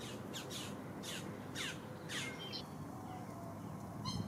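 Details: Green heron chicks, three young in a nest at Lake Hollingsworth, Lakeland, Florida, fighting for food and grabbing at a parent's beak; harsh, buzzy down-slurred squawks repeated about every half second over a steady low outdoor hum.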